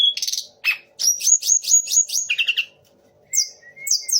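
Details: A Sunda laughingthrush mimicking the magpie robin, shama and orange-headed thrush. Fast run of sharp chirps and bright whistled notes, then a pause before a few high, thin slurred phrases.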